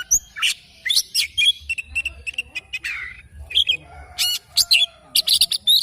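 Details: Oriental magpie-robin in morning song, delivering a dense, busy run of harsh chirps, buzzy notes and sharp whistles in rapid sequence, with only short gaps between bursts.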